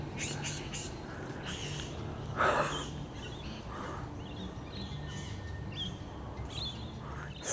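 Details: Male Satin Bowerbird near his bower at Mount Glorious near Brisbane, with females nearby he is trying to impress: scratchy, buzzing bursts and short whistles, one loud harsh rasp; other small birds chirp behind.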